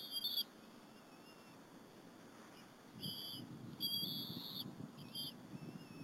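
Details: At the Berry College nest, two bald eaglets feed on a squirrel with their mother one afternoon, 30 April 2015: brief high whistled squeals, one opening burst then a cluster of thin piping notes later, with low rustling beneath.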